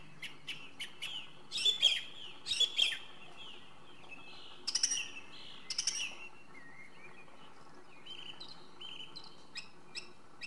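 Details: Singing song thrush delivering crisp high phrases, each repeated twice before it switches to a new one, with ringing whistles and rapid clicks, then softer warbled notes toward the end.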